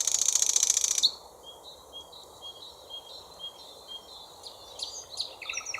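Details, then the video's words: Thrush nightingale (Luscinia luscinia) song: a loud, dense, high rattling burst, then a quieter run of thin whistled notes and sharp chirps. "Соловей. Песня соловья."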